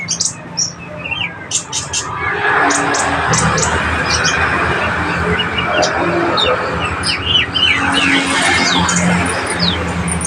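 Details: Konin song used as master material to train other songbirds: bursts of rapid, thin, high chirps and short twittering notes, pausing briefly between runs, over a constant noisy background hiss.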